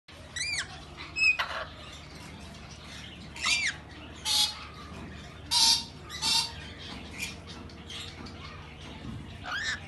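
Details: Rainbow lorikeet giving harsh screeching squawks in short separate bursts, some with rising-falling tone, spaced a second or two apart over a faint background hum.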